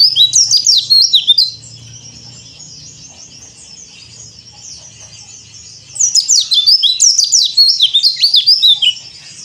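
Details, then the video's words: White-eye of the yellow-breasted Bali type, used as training audio for other caged white-eyes: bursts of high, thin, rapid twittering with quick slurred notes, loud for about 1.5 seconds, a quieter gap, then a longer energetic burst. "PLECI DAKBAL COR DOR ‼️ Cocok Buat Terapi Pleci Bahan Mu"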